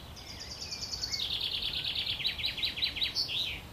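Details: Wren nestlings in the nest being fed by their mother at Worthington Lake, Standish, Wigan: a fast run of high, thin chirps that steps down in pitch midway, ending in a short rising-falling note, over faint background hiss.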